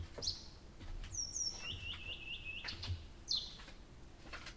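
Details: Night song of a nightingale at Abramtsevo, early June 2021, starting 23:00: a high note, a bright descending whistle, then a steady run of rapid bubbling trill notes, ending with another high accent.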